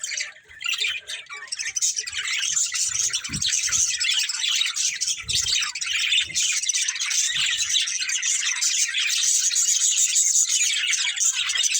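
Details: Breeding pair of budgies, a family group, giving steady high twittering chatter that builds and stays loud, a rich unbroken warble of scratchy chirps, with occasional low knocks in the background.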